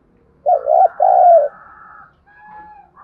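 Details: Spotted dove used as a decoy, calling to stimulate wild birds: a single loud low coo phrase, short wavering note then a drawn-out rolling one, followed by a faint thin whistle.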